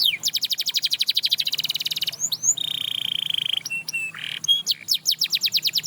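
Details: Singing canary prompting others to sing: a varied sequence of fast rattling trills, a steady buzzy tour, short whistled notes and a rough burst, ending in rapid repeated sweeping notes.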